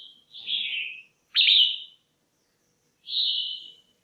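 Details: Female red-whiskered bulbul kept in a cage calls to arouse males or for matching a pair: a falling slurred whistle, a loud abrupt note, then a level whistled note after a short silence.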